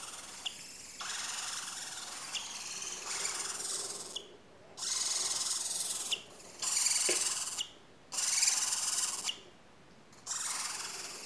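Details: Several four-week-old barn owl chicks producing long, coarse hissing rasps one after another, bursts of one to two seconds broken by short silences and a few sharp clicks.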